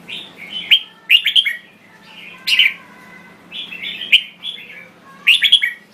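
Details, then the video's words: Red-whiskered bulbul of Thai stock gives clear, lively whistled song: quick warbling phrases of two to four notes, each burst separated by a short gap, with a soft background hum. "Chào Mào Thái Lan Hót Cực Hay"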